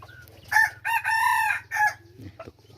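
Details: Red junglefowl rooster used as a decoy, recorded in 2021, crowing once loudly in four segments: a short clipped note, a longer note, a long level middle note, then a brief falling end. A steady low hum and a faint cluck are also heard.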